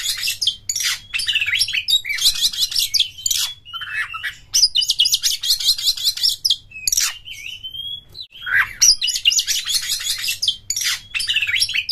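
An Oriental magpie-robin sings a fast, continuous run of high chirps, sweet whistles and harsher scratchy notes, broken by brief pauses, over a faint low hum.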